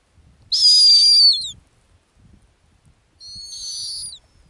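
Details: On its ground nest in the Arctic, a female snowy owl utters two piercing whistled screams. The first is loud, raspy and slides downward. The second is softer, with parallel falling tones. Only a faint low murmur sits between them.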